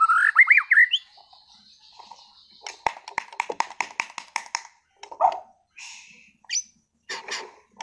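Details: Competition-class caged white-rumped shama from Sragen: a loud, wavering whistled phrase opens, followed by a rapid, dry, evenly repeated chattering series and scattered sharp notes and short buzzes.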